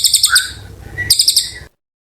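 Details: Oriental white-eye (cililin) giving two brief bursts of thin, high twittering notes separated by a short gap with a lower whistled note.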